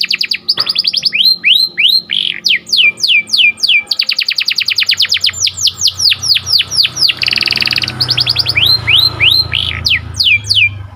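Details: Morning song of a canary, lively and sweet: long series of fast descending whistled sweeps and rattling trills, with a brief buzzy roll in the middle and a low background hum.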